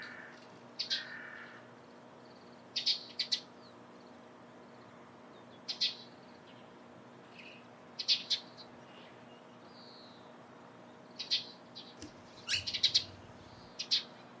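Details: Sparse morning calls of a Eurasian tree sparrow: single or paired short, high chirps spaced a second or more apart, against a quiet background with a soft low rumble late on.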